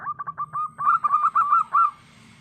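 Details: Lively song of a local wild zebra dove meant as a trapping lure: a few spaced introductory coos, then a tight, quickening string of rolling notes ending in one longer, drawn-out coo.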